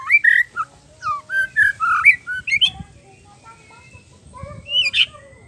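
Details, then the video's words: Oriental magpie-robin singing gacor with isian fills: a string of clear, rounded whistled notes, a near-silent pause, then a single rising whistle and soft note at the close; faint background noise. "SUARA MURAI PASTOL GACOR FUL ISIAN"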